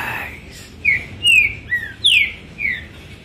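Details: Kept green-winged saltator pouring out a run of five falling whistled notes, clear and emphatic, after a brief lower-pitched noise at the start.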